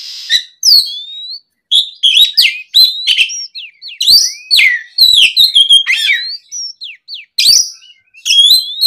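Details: Lure song of an oriental magpie-robin in the afternoon: a long, varied sequence of loud whistled slides, downward swoops and harsh chattering notes delivered in quick bursts.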